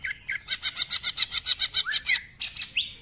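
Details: Rough-voiced greater green leafbird delivering a fast run of harsh, buzzy notes, about fourteen in quick succession, in rapid ngentrok-style song with varied phrases, ending in upswept squeaky calls.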